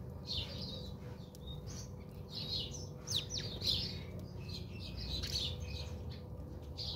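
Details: House sparrows chirping busily as they bathe at a home in South Africa; rapid overlapping cheeps, a few louder clicks and taps, low hum throughout.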